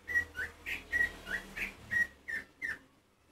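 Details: Oriental magpie-robin singing to trigger other magpie-robins: a repeated pair of short whistled notes, one flat and one dipping, given about three times per second, then silence.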